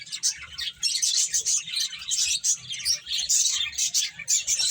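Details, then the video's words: Finches chirping as they play: pulsing bursts of sharp high tweets, some clear whistled notes, about two or three bursts each second. "Beautiful Birds Chirping Sounds | Cute Finches Playing"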